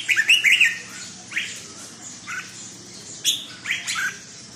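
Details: Red-whiskered bulbul in a cage sings a few spaced, fluty, whistled phrases, one strong burst at the start and then shorter notes about every second, over a quiet background.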